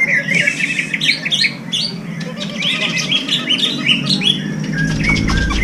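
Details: Greater green leafbird (cucak ijo), a contest bird whose song reportedly mimics serindit and kores calls. Bursts of bright chirping and warbled whistles in quick clusters, with steady low rumbling noise and music below.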